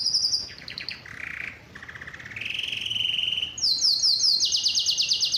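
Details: Excited canary's mating song, moving through varied tours: short high trills, a lower rattling roll and a steady mid-pitched buzz, then a very loud, fast, high chopping trill.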